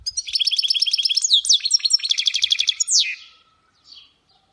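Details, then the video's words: Song of a goldfinch hybrid mule: a fast, rattling series of repeated high notes mixed with upward-sweeping whistles for about three seconds, ending in one short soft chirp. "تغريد خلوي بصوت هجين الحسون Chant mulet Chardonneret"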